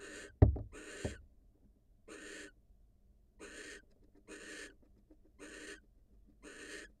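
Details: Wild barn owls at the nest, the female leaving to kiss her mate: a run of rasping hisses about once a second, with two sharp low knocks near the start.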